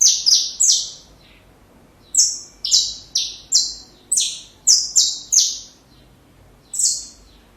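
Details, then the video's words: Song of the saffron finch for young birds to learn: a quick burst of three buzzy notes, a pause of about a second, a rapid run of seven stepped high notes, then one last note after a gap. "Canário da Terra Canto Perfeito Para filhotes"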